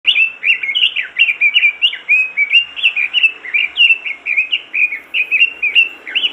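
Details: Robin in vigorous, nonstop song used as a master recording to prompt other robins to sing: a continuous run of fast, slurred warbled phrases, high and sweet, pouring out in quick bursts several times a second with no pauses.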